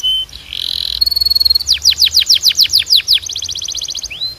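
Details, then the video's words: Canary training song: a high buzzy note and sustained whistle, then a rhythmic trill of about a dozen rapid downward-sweeping notes, followed by a fast even twitter and a final rising whistle. "Melhor Som de Canário Para Treinar"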